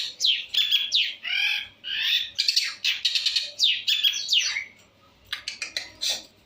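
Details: Long-tailed shrike in full varied song: bright, fast chattering phrases of whistles and buzzy trills pour out for about five seconds, then a short pause and scattered sharp notes, held close to a phone.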